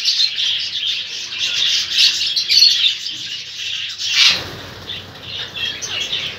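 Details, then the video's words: Lovebirds fighting, an Indian ringneck involved: dense harsh high screeching chatter throughout, with a sharp burst near four seconds and a softer rasping tail. "Indian rangnick fight love bird"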